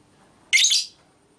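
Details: Female lovebird whose ngekek calls are used as training audio to provoke other lovebirds: one harsh, raspy, high burst lasting under half a second, with a quiet background.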